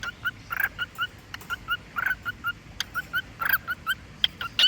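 A cockatiel sings a run of short, clear whistled notes with a few louder, harsher chirps.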